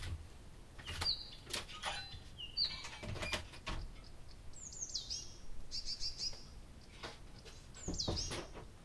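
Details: Nightingale in full night song, Abramtsevo, beginning of June 2021 after 23:00: scattered high whistles and looping swept notes among many sharp clicking and knocking sounds.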